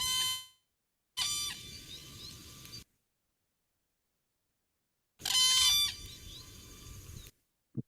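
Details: Whooping Crane guard calls, an alarm or alert given when startled or to warn a partner of danger: one bird calls and another answers at once, in loud, crisp, trumpeting bursts rich in harmonics, in separate short bouts.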